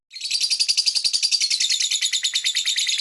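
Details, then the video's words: Rapid, high-pitched twittering from a lovebird, dense chirps following one another about twice a second in a continuous chatter, rising in loudness at the start and then holding steady. "This Lovebird Singing and Chirping sound"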